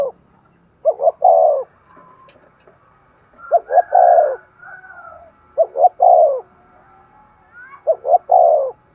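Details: Spotted dove cooing, played to stimulate a decoy dove to coo and call: four low three-part phrases, two short rising notes then a long falling coo, spaced irregularly, with a faint higher whistled tone in the background.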